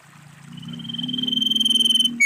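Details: Wild female common iora giving a luring call: a fast, even, high trill that swells for about two seconds and ends on a sharp note, over a low steady hum.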